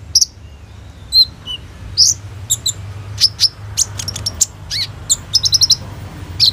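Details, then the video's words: Gacor-style kolibri ninja sunbird song with luxurious tembakan phrases, captured on an Oppo A37f: scattered high chips, slurred whistles and a falling note, then quick clicking bursts toward the end. "SUARA BURUNG KOLIBRI NINJA GACOR FULL ISIAN TEMBAKAN MEWAH"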